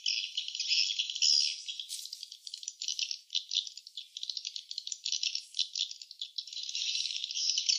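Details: Nesting swiftlets, heard as a continuous high, dry, rattling chatter of rapid clicks and chirps that swells and fades in waves, as if in an enclosed space.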